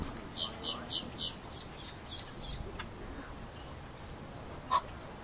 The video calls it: Egyptian Goose